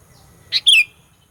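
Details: Lure sound of a vocal sooty-headed bulbul, played to stir up rival bulbuls: one emphatic two-note chirp, a brief sharp note then a longer downslurred phrase, in quiet surroundings.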